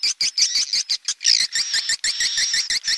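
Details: High, thin swiftlet chirps in fast bursts, some notes rising into sharp whistles, broken by brief gaps about three times a second.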